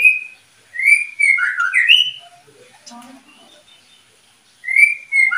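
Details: Oriental magpie-robin, one of a breeding pair, singing a loud burst of sweet, slurred whistles that dip and rise. Faint clicks and a low buzz follow during a quiet gap, then a second whistled phrase begins.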